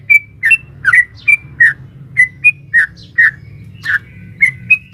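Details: Female sooty-headed bulbul calling a male, a rapid long-running song meant to make caged bulbuls answer: bright chirped and whistled notes at an uneven quick pace, about fifteen in five seconds, light low hum behind.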